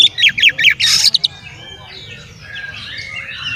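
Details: Singing male Oriental magpie-robin, used to make other magpie-robins agitated and spread their tails: fast string of bright, repeated chips and a harsh squawk in the first second, fading into quieter, thin warbled phrases over low rumble.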